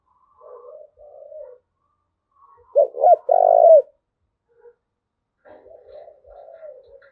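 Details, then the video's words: Spotted dove cooing, used in training decoy birds and rousing males. Quiet murmured coos surround one loud phrase of two short notes and a sustained purring coo. Faint wavering coos trail off afterward. "tiếng cu gáy thúc gù gáy gọi tập bổi kích trống hiệu quả"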